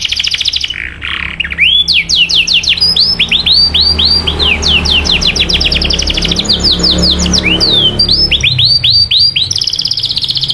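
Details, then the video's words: Canary song used to get other canaries singing: varied phrases of arched whistled notes and fast trills, repeated rapidly, with a faint low rumble underneath. "PANCINGAN JITU SUARA BURUNG KENARI CUIT CUIT MANGGIL LAWAN MERANGSANG KENARI LAIN KEMBALI AKTIF"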